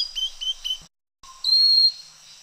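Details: Pygmy cupwing (Pygmy Wren-babbler, Pnoepyga pusilla) calling on Fraser's Hill, Malaysia: three quick, thin high notes, then after a short pause one long, steady, piercing whistle. A faint hiss sits underneath.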